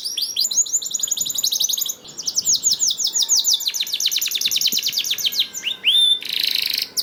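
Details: Canary lure song for prompting other canaries to sing: a dense, very fast high trill, a short pause, then varied notes, a clear upswept whistle and a buzzy rattle.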